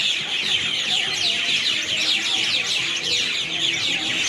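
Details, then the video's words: Nighttime din of birds gathered in a tree in Airlie Beach town, recorded in 2024: a steady, intense crowd of high-pitched squeaky chirps pouring out without pause, steady in volume throughout. "Birds chirping loudly at AIrlie Beach at night"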